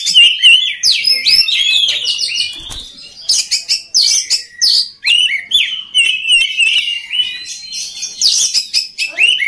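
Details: Loud oriental magpie-robin song for training other magpie-robins to sing eagerly: a varied stream of clear whistles, looping slurs and harsh clicking chatter, given in bursts with brief pauses between phrases.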